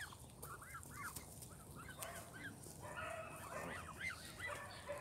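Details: Canada goose goslings, now grown, at Longton Park in Stoke on Trent, June 20, 2022. Repeated rising-and-falling whistled peeps come from several birds, becoming denser and overlapping toward the end.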